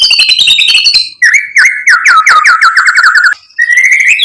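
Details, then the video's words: White-rumped shama lure song to rouse rival birds: an opening high buzzy trill, then a long rapid series of looping whistled notes slowly falling, closing with a rising whistle. "PANCINGAN MURAI BATU biar EMOSI NYAUT jadi GACOR BONGKAR MATERI ISIAN | SHAMA BIRD"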